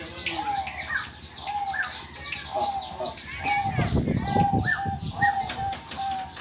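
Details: Perkutut, or zebra dove, sings readily on hearing its name called. A run of even, mid-pitched coos recurs roughly every second amid busy high twittering from other birds and some low background noise.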